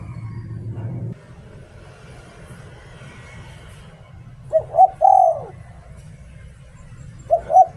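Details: Decoy spotted dove in "liu tan" style, a low hum at the start, then after a pause one full phrase of two short coos and a long descending coo, with the next phrase beginning at the end.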